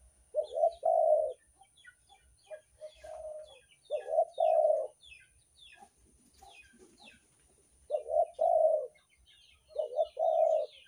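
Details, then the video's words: A spotted dove gives soft, throaty two- and three-note coos in short bursts every few seconds, used as a lure call, with thin high chirps from small birds in the background. "suara pikat derkuku"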